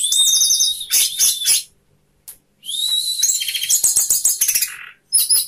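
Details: Orange-headed thrush, a caged 'sapu jagat' singer with tail fanned, delivers loud rapid high trills and churring phrases, then a sustained ringing passage studded with quick repeated notes.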